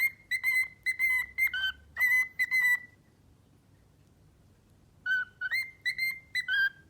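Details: A male pet cockatiel whistles "If You're Happy and You Know It," his first learned song, in clear, steady notes, imitating a human song.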